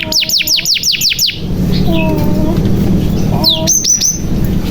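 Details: Canary song used as a lure: a burst of about seven quick, bright, falling notes, a quiet gap with faint lower tones, then a few more sharp high notes.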